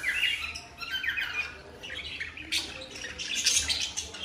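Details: Newly bought cockatiel pair in full breeding mood, expected to lay eggs soon, giving mating calls: a steady run of harsh, scratchy squawks and chirps with short rising notes, calling almost without pause over a faint low hum.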